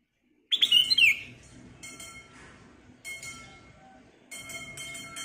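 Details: Black-crested bulbul with a clear, crystal voice, recorded to prompt other birds to sing; one loud, bright whistled phrase opens, then softer tinkling, metallic background tones.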